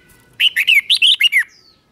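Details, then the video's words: Doubled (เบิ้ล) style song of a caged red-whiskered bulbul, used for young birds to copy. It is one fast phrase of about seven bright, warbling whistled notes, each rising then falling, delivered in just over a second against a quiet background. "นกกรงหัวจุกเบิ้ล 1000000% สอนลูกนก ก็อปติดง่าย"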